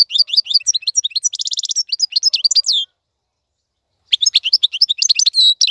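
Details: European goldfinch tutor song for young birds: almost three seconds of dense twittering with a metallic trill in the middle, a silent gap, then more chirps ending in a buzzy note.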